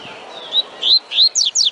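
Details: Short fragment of a double-collared seedeater's tui tui song, a few high whistled notes, some rising and some falling steeply, in quick succession.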